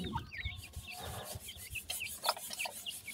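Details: Partridge chicks at feeding time give rapid, thin, rising peeps over a steady scratching, rasping background, with an occasional lower cluck.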